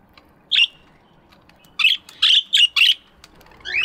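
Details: Morning aviary with budgies chirping, a single chirp, then a quick series of four buzzy chirps, and a descending twittered note at the end.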